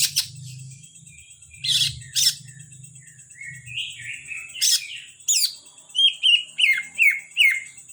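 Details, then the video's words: Caged Kalimantan greater green leafbird opening with scattered notes and harsh bursts, then a regular series of sharp falling whistles roughly every third of a second, above low hum and a steady high tone. "Burung cucak ijo kalimantan dak kalah sama cucak ijo Banyuwangi"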